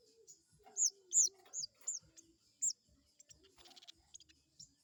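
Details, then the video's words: Crested jay call played to provoke an opponent: several piercing, arched notes in quick succession, then softer scattered ticks, with a faint low hum in the background. "pancingan burung sogon bikin emosi lawan,,bikin lawan langsung nyaut"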